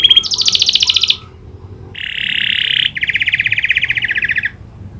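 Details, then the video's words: Canary song imitating the prinia's clicking call: a high rolled trill, a short pause, then a level buzzy trill and a lower rapid rattling series. "Burung kenari gacor isian prenjak klik"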